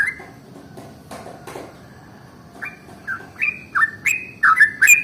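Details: Yellow-vented bulbul in the morning, its song meant to spur other bulbuls to sing: after a quiet, faint opening, a short burst of loud bubbly slurred notes speeds up over the last two seconds.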